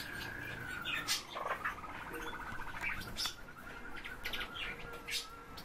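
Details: Eurasian bullfinches filmed from about ten centimetres; a quiet, low piping note followed by a creaky, stuttering run of soft notes, with occasional clicks and rustles in the background.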